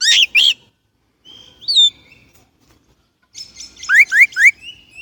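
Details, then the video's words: Chinese blackbird song of varied phrases: paired chirps, a thin whistled note, then a burst of three quick rising slurred whistles mixed with high twittering. "烏鶇(黑鶇)的叫聲/Sound of Chinese Blackbird"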